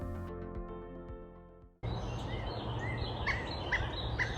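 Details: A Pileated Woodpecker foraging in backyard bushes gives short, bright call notes about every half second over steady outdoor noise, after a snatch of music. This is not the typical loud call; it was most likely communicating with a nearby mate, though such calls can be territorial or alarm.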